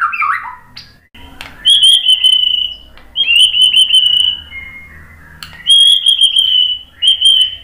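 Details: White-rumped shama (murai batu) song used as a lure to make other birds answer: a brief buzzy rising note, then long clear steady whistles held near one pitch, broken by sharp short chips, in quiet surroundings.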